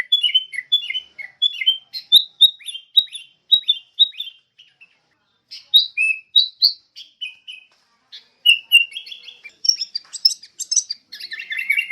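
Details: Sooty-headed bulbul, known locally as kutilang, singing a long run of short, bright, slurred chirps that rise and fall, pausing briefly midway before resuming with busier, more varied notes; no other sounds.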